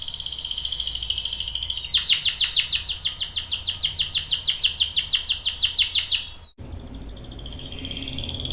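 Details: Canary singing a long roll, with a young male answering: a steady whistled tone breaks into a fast, even trill of repeated notes lasting about four seconds, then cuts off abruptly before a softer, thinner trill resumes.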